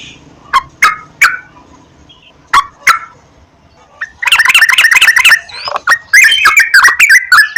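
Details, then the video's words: Yellow-vented bulbul song played as a lure to get birds singing: a few scattered bubbly notes at first, then a fast, busy burst of chattering, warbling phrases. "PANCINGAN BURUNG TRUCUKAN TERAPI PAGI,SIANG,MALAM,AGAR TRUCUKAN RAJIN GACOR"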